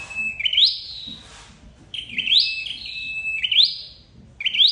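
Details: Lure call of a red-headed flowerpecker for trapping. Thin high whistles that sweep up and stretch into a steady note, four phrases spaced about 1.5 seconds apart, over light background noise.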